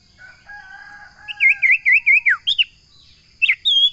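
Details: Common iora singing: a long, steady, thin whistle opens, then a loud rippling series of wavering notes falls away at the end. Short, sharp notes follow after a pause. Nothing else is heard.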